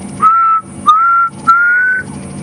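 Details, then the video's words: Afternoon summer safari drive at Djuma Game Reserve, South Africa, 16 December 2015: three long, mournful whistled notes from a black cuckoo, each drawn out and gently rising, the last highest, in the background over a soft low hum. "In the background, you might be able to hear the black cuckoo going."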